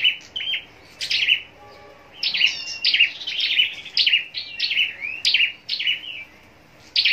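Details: Caged scarlet-backed flowerpecker kept for singing contests, giving high, thin, sharp notes in short clustered bursts with downward sweeps, separated by brief pauses, over a quiet background.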